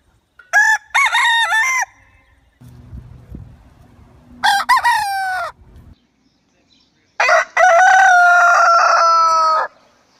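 A rooster crows three times: two short, broken crows and a final long, loud, sustained cock-a-doodle-doo, with a low rumble in the background.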